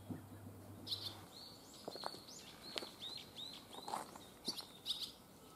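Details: Barn swallow fledglings on their first day out of the nest, which they left in the early morning: short high chirps and upward-flicking notes, some in quick pairs, over a faint low hum.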